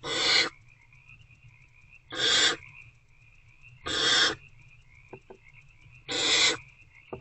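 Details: Nest-box owlets, hungry and working at a rodent on the evening of 26 February 2024, give four loud breathy screeches about every two seconds, with faint clicks between them and a steady high whine beneath.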